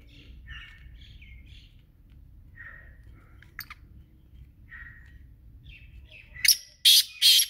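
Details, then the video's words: Kala teetar, the black francolin, ends with three loud, rasping, broadband bursts in rapid series, after softer chirping notes from other small birds over a low background hum. "Kala Teetar Ki Awaz | Kala Teetar Voice | Kala Teetar Sound"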